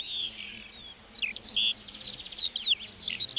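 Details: Short burst of lark song in a meadow, high slurred whistles and buzzy notes delivered quickly and a little softer than nearby phrases.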